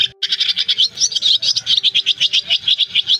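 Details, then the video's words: Roost-calling swiftlets from an August 2024 trapping lure; after a brief gap a run of sharp, pulsed high twitters repeats quickly and evenly, many voices layered together. "Tiếng ÉN ĐEN , Én bụng trắng , nhạn gọi ru ngủ"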